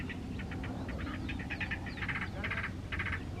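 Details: House wren singing in the Panul forest at the foot of Santiago, Chile, in July, winter: bursts of rapid, buzzy, chattering notes repeated in quick clusters over a steady low background rumble.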